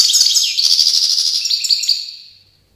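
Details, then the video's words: Sustained goldfinch song, Tiaret 2019: a continuous stream of high, sweet twitters and slurred whistles for about two seconds, gradually trailing off into quiet. "chant chardonneret"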